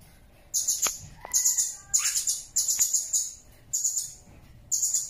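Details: Blue-crowned hanging parrot used as a tutor recording for songbirds. It gives a run of six piercing, high-pitched trilled bursts, each under a second, spaced roughly every second. Faint rising whistled notes slip between the first bursts.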